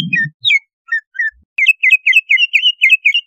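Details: Greater green leafbird song played as a lure to bring on breeding condition: a few scattered whistles after a brief low rumble, then a rapid, even run of about ten bright, rising and falling whistled notes.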